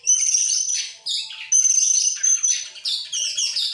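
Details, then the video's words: An excited Oriental magpie-robin with tail opened delivers an almost unbroken stream of loud song: scratchy, shifting phrases over a sustained, piercing high buzzy note, with hardly a pause. "sekali dengar langsung EMOSI NGOBRA GACOR BUKA EKOR, burung kacer nembak,Kacer gacor"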